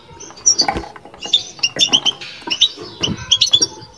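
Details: European goldfinch in a cage performing batbata: hurried clusters of high, tinkling chirps in two main bursts, accompanied by low thumping sounds.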